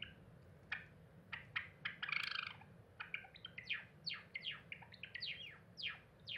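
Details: Pet cinnamon Java sparrow singing indoors while looking out the window on 7 April 2021; a run of sharp, sliding chirps and clicking notes, a brief rattling burst, then faster downward-swept whistles over a steady low hum.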